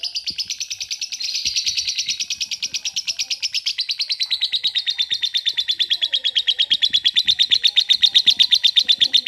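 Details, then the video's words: Lovebird giving a long ngekek trill in the style called kereta uap (steam train). It is a steady, fast series of high chattering pulses, repeated nearly three times per second, growing louder and more evenly spaced over nine seconds. "LOVE BIRD NGEKEK PANJANG - KERETA UAP"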